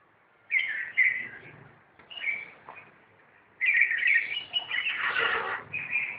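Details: Red-whiskered bulbuls fighting: clusters of chirped, whistled notes followed by a longer, noisier burst of jumbled calls and possible wing flutter.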